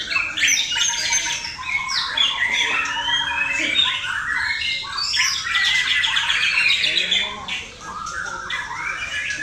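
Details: Competition-trained male white-rumped shama singing a loud, rich, continuous song of varied whistles, rapid warbles and harsh notes that rise and fall, with almost no pauses.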